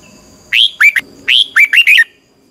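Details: Red-whiskered bulbul singing a training song in the twisting "xoắn tít" style, used to stimulate birds: two fast phrases of loud, clear, up-and-down whistled notes, each phrase about half a second long.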